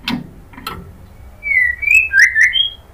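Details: Female white-rumped shama (murai batu betina) giving a kretekan call to draw a male, used as a lure: two short harsh clicks, then a run of slurred, bending whistles at a steady middle pitch.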